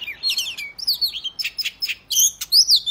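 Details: Oriental magpie-robin (kacer) giving a fighting song meant to provoke other males into display: loud, varied, sweeping whistles and sharp chattering bursts, delivered in quick separate phrases over a clean, quiet background.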